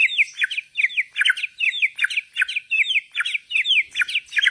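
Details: Borneo white-rumped shama singing in bowing style: a rapid, uneven stream of sharp slurred high notes and chatter, tightly packed and repeated several times a second, loud and continuous with no other sounds.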